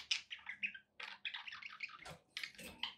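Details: Short stretch of pet budgie chatter: quick scratchy notes and squeaky warbles tumbling together with tiny gaps, over a soft low hum.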